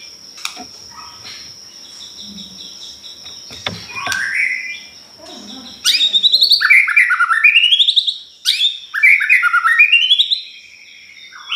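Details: White-rumped shama song used as a lure to provoke other birds: after a faint start, loud bursts of rich rising whistled phrases with sharp upsweeps, delivered in rapid clusters, a steady high tone running underneath.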